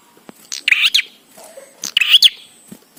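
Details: Bar-winged prinia, recorded as a training song to set prinias singing: two scratchy, twittering phrases about 1.3 seconds apart, with soft clicks between.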